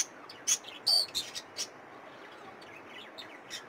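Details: Budgerigar chicks calling with quick high squeaks and chirps, a louder double note near one second followed by softer scattered peeps fading out over faint hiss.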